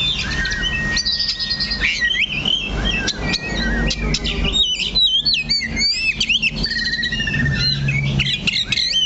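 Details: Caged Oriental magpie-robin holding one spot on its perch as it sings: long pure whistled tones, then quick wavering slides and sharp chirps, with a low steady hum in the background.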